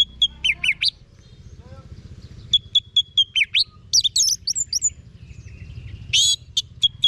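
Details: Anis Merah, the orange-headed thrush, kept as a songbird in North Bali. It sings a mix of repeated short whistles, twisting slurred phrases and scratchy high bursts, with a quieter pause near the middle and a low background hum.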